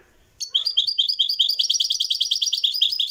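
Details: Live song of a European goldfinch in the Marrakchi tradition, starting after a brief silence and running into a quick, even series of sharp tinkling notes.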